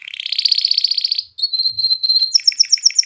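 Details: Singing canary meant to excite hens into mating and encourage young birds to sing. A fast rolling trill, then a steady high whistled tone, then a string of evenly repeated high chirped notes.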